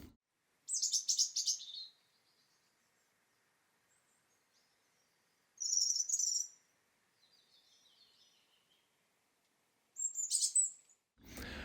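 A European robin sings three short, high, sweet warbling phrases, each about a second long, separated by pauses of three to four seconds, with a soft thump at the end.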